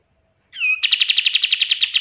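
A bulbul gives a short falling whistled slur, then a rapid, buzzy chatter of about fifteen bright notes in under two seconds.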